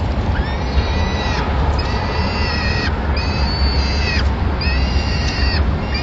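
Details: Peregrine falcon nest in Madrid, 25 April 2016, with the female feeding chicks a pigeon. Four long, strained, nasal wails, each about a second, come in steady succession above loud low-pitched background noise.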